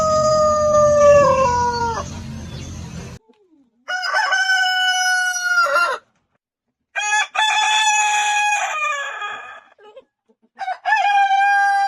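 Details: One of several rooster types recorded on a chicken farm, crowing four times in succession. The crows are loud and harmonic, with held notes that step down at the end, and the pauses between them are almost silent.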